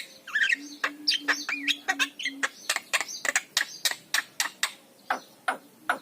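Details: Javan myna master song for prompting idle mynas to sing, opening with squeaky twisting notes, then a rapid, even stream of dry harsh clicks, with a low electrical-sounding hum.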